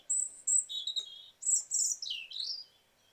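A European robin sings a high, sweet phrase of thin whistles and quick trills that swoop between pitches, each note different.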